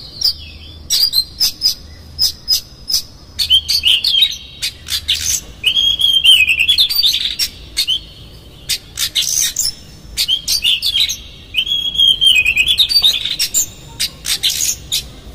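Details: Long stretch of Oriental magpie-robin lure song with coarse fill-in: rapid dry ticks, wavering warbled whistles, scratchy notes and high chirps, delivered in a continuous, varied stream.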